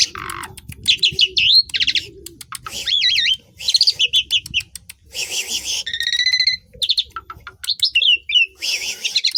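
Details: Varied Asian pied starling song mixing wavering whistles, nasal buzzy runs, crisp clicks and harsh grating notes, broken by short pauses, with faint cooing in the background.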